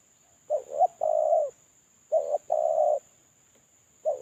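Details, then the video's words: Spotted dove lure call from a moulting male: low hollow cooing in pairs, a short broken coo followed by a longer drawn-out coo, repeated about every two seconds, with a faint steady high-pitched tone in the background. "Suara terkukur suara pancingan terkukur"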